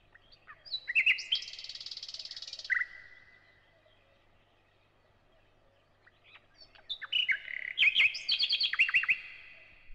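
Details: Thrush nightingale song alternating repeated whistles and clicks: a phrase of sharp clicks and a long dry buzzy rattle, about four seconds of quiet, then a fast run of repeated whistled and clicking notes, loud and clear against a quiet background.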